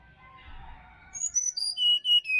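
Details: Forest sirdadu (Black-winged flycatcher-shrike) from Bali, for rousing caged birds at dawn: after faint low twittering, six loud piercing whistles descend step by step, each note briefly sustained.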